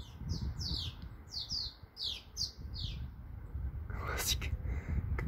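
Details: Many swallows flutter at a nest holding chicks, Bulgaria; quick run of high, falling chirps for about three seconds, then a brief human voice and a rustle.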